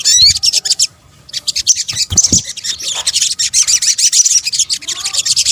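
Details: Sunbird, called sogok ontong in Indonesia, heard in a luring combination: an opening upswept whistle, a short pause, then fast, unbroken high twittering that builds and continues to the end.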